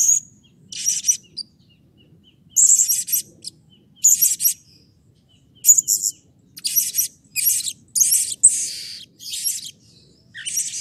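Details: Blue-crowned hanging parrot calling energetically as a lure for others of its kind: rapid series of very high, harsh, squeaky bursts, sparse at first, then tightly packed toward the end.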